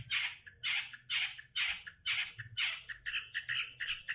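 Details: Long-tailed shrike giving a steady series of harsh, scratchy rasping notes, about two per second, each a broad grating burst, turning to quicker chattering notes toward the end.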